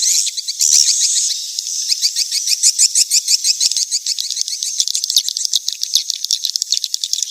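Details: Swiftlet mating-chase lure call: a long bright whistle opens, followed by fast, tightly packed high twitters that pulse rhythmically and gradually loosen over seven seconds.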